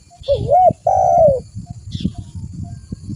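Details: Spotted dove lure: a wavering coo rising into an arch, then a long level drawn coo, followed by low rumble and a brief hiss.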